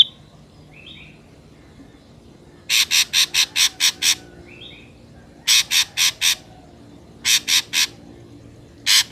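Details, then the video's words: Ashy drongo song played as a lure for trapping birds: bursts of harsh rasping notes in quick runs of four to six, with short soft whistles between the bursts. "PANCINGAN SUARA BURUNG SRIGUNTING AMPUH"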